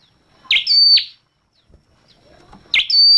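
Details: A flowerpecker with a red head gives two sharp, high chirps, each sliding up into a short ringing tone and snapping down at the end. A long silent gap separates them.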